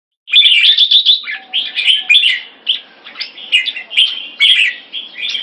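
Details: Caged Red-whiskered bulbuls in Singapore during keke training. Two birds are set against each other. Loud, warbled whistled phrases rise and fall around the upper-middle pitch range, with short breaks between bursts and sharp high notes above.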